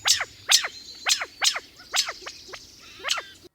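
California quail giving an alarm call: about seven sharp, clipped 'pit' notes, roughly two per second, with a faint background hiss.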